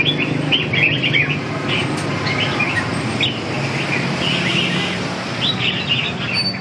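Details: Red-whiskered bulbul giving short, bright whistled chirps in scattered bursts, some rising and some falling, over a constant loud rumble of traffic noise.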